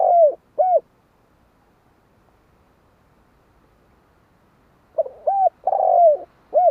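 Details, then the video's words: Spotted dove giving low, mellow cooing notes in short groups, a pair of rounded coos, a long pause, then a cluster of three or four coos including one drawn-out falling note. "Tiếng chim cu"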